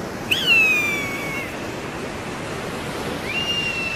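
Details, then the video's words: Eagle calls: a loud, shrill, whistled scream that slides downward, then a fainter second scream near the end, over a steady hiss. "SUARA MASTER BURUNG ELANG"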